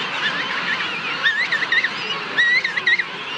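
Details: A king penguin in a large colony on South Georgia trumpets two bursts of wavering, pulsing notes, each about half a second long, above a steady murmur of many other colony birds.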